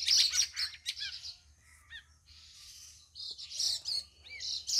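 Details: On the fourth day of care, under drizzle and overcast skies, a caged sooty-headed bulbul answers a lure recording in bright, quick, chirpy phrases, high and slurred, while other birds, including a white-eye, call and overlap throughout.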